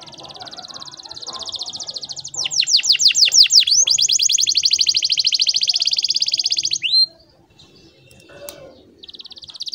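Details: Canary song used to teach young birds to sing: a long steady high rolling trill, a burst of sweeping downslurred notes, the roll resuming for several seconds, then a pause and brief notes.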